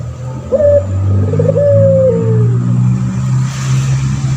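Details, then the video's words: Long-voiced male puter pelung turtle dove used as a training tutor. One coo rises quickly, trembles through a rolling section, then stretches into a long falling tone over a strong low mechanical drone. Another coo starts right at the end. "Burung puter pelung jantan gacor , di jamin langsung nyaut"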